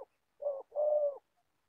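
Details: Spotted dove, an old decoy bird with a good voice, used for trapping wild doves in Gia Lai, Vietnam; gives a short low hooting coo followed by a longer, steady coo in a quiet background.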